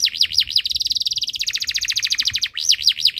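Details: Breeding-condition canary in full song, used to prompt other birds to sing: a few looping V-shaped whistles, then a long, rapid rolling trill, ending with more looping whistles.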